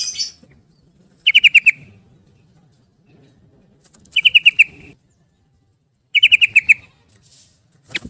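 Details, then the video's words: Yellow-vented bulbul repeating its 'ropel' song, meant to prompt birds silenced by a change of cage to sing: three bursts of five or six quick ringing notes about two seconds apart. "Kicau Garuda Tarung Trucukan Gacor bikin Gelisah Geram Semua Trucuk jadi Ropel Gacor"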